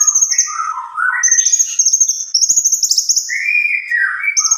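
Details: Long rolling song of an actively singing cucak kombo: rapid high trilled whistles mixed with lower, rippling warbled phrases that rise and fall, delivered almost without pause.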